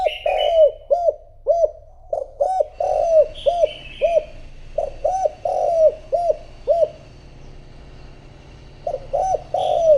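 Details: Spotted dove used as a decoy, cooing to draw in wild doves: runs of short arched hooting notes, often in pairs, repeated steadily with brief gaps, and occasional thin high chirps of other small birds behind.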